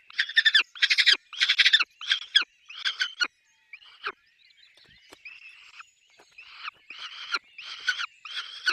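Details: Peregrine falcon at its nest with chicks, giving harsh, rasping bursts in quick series, a pause after three seconds, then softer calls building back to loud repeated bursts.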